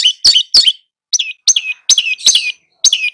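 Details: Long-tailed shrike tutoring two young birds delivers clear, sharp chirps with falling whistled tails, grouped in short bursts with brief gaps.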